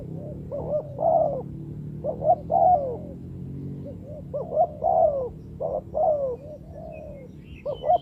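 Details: Spotted dove calling as a trapping lure: repeated hoarse coo phrases, a couple of short notes then a longer falling note, continuing steadily with a faint low hum behind.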